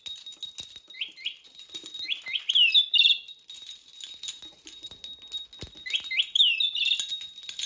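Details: Pet rainbow lorikeet indoors, worked up as soon as its favourite bells are touched: bursts of shrill, rising screeching notes in quick runs, with jingling bell rattles and tapping throughout.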